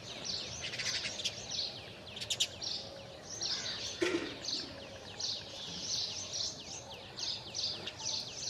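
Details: House sparrow calling: a steady stream of short, high chirps repeated in quick clusters about every half second, with a few louder sharp notes, over a constant hiss of outdoor background noise.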